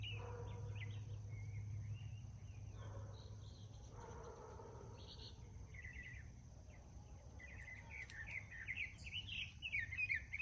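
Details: In the morning, a male Northern Mockingbird sings a run of varied, chirpy phrases that keep switching pattern, over a steady low rumble and a thin high hum.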